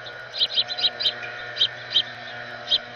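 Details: House finch family, youngsters excitedly following their parents and begging; short high chirps in quick bursts, several close together early, then spaced singles roughly every half second to second, over a steady low hum.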